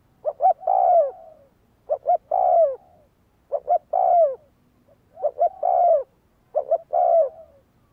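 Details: Spotted dove calling to train decoy birds: five regular phrases, each with two quick clipped notes and then a drawn-out falling coo, roughly every one and a half seconds, with no other sounds.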